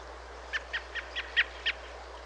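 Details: December recording of an American robin, more common in this southern area in fall and winter, giving six short clipped call notes at a steady, brisk pace, with a faint hiss of background noise.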